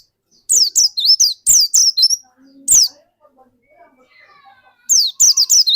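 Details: Energetic pleci dakun white-eye used to prompt other white-eyes into song; quick runs of piercing high notes sweeping downward, a pause with faint low chatter, then another fast burst.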